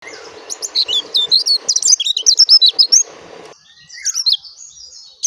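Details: Oriental white-eye of the dakun type giving a clear natural song: a fast, high, twittering burst of sharp chirps for about three seconds, a short pause, then a few more scattered high notes.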